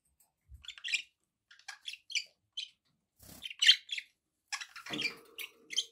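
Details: Caged budgies chirping in short spaced notes and buzzy twitters, with a couple of soft low knocks and a faint steady hum beneath the later chatter.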